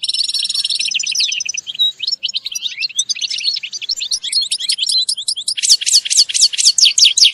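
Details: High, rapid chaffinch chirping meant for helping a bird learn sounds: buzzy repeated notes at the start, then a long jumble of varied twittered syllables, growing into loud, fast descending chips near the end.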